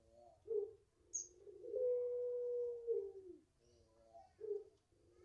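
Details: ['Long coo of a young Barbary dove (puter pelung) aged five months, raised in an Indonesian garden. Brief throaty notes come first, then a long smooth held tone that slides downward at its end, followed by quieter rolling coos.']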